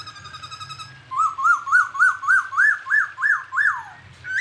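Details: Unidentified bird in a clear training recording for songbirds: after soft repeated notes, a run of nine loud rising-and-falling whistled notes, about three per second, then a brief higher note, over a low steady hum.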